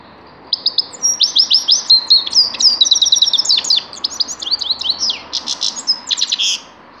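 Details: Grey-crowned goldfinch in full song, a six-second stream of sharp chirps, liquid trills and quick slurred whistles, high-pitched and varied without a break.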